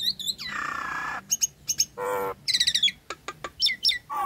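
A Nias hill myna gives a loud, varied run of clear ringing whistles, a harsh rasping burst, and quick clicking chatter, all in short bursts.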